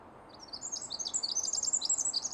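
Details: Pacific wren singing deep in Pacific Northwest forest undergrowth near a road: a rapid, tumbling stream of very high, tinkling notes and trills without pause, over faint background hiss.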